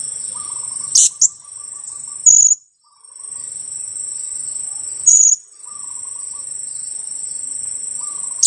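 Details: Young blue-crowned hanging parrot, aged two weeks and kept as a lure, gives scattered shrill kiak notes, a quick pair then single calls every few seconds, over steady high insect buzzing.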